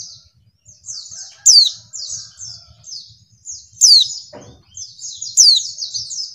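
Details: Female white-eye (pleci) calling, used as a lure to provoke males into singing: a steady run of high, thin, down-slurred chirps, broken every two to three seconds by a louder sharp whistle that sweeps steeply downward.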